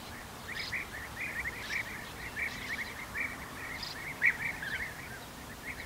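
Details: European bee-eaters feeding their young at the nest give a steady stream of short, rolling, liquid chirps, overlapping and repeated several times a second, over a soft outdoor hiss.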